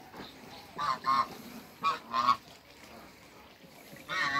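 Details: A couple of Muscovy ducks meeting in the water on a farm, giving short nasal honking calls in two quick pairs, then a further call at the end, with quiet gaps between.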